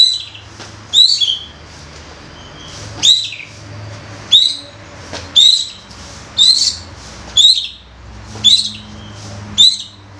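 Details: Young forest White-rumped shama, loud 'koar' calling used to provoke other young birds to sing: short bright high chirps with a quick upward flick, repeated about once a second, with a low steady hum underneath.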